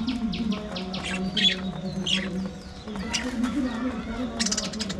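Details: Caged budgerigars chatter with quick runs of high, scratchy chirps, pausing briefly mid-way before a dense burst of twittering near the end, above a low droning undertone.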